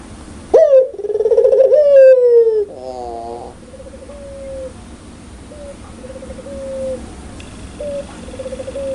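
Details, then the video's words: Puter pelung, a Barbary dove with a loud, clear voice, laughing ngakak style: a quick upward note, a quavering drawn-out coo, a stuttered burst, then a string of short, even coos. "suara burung puter super gacor ngakak"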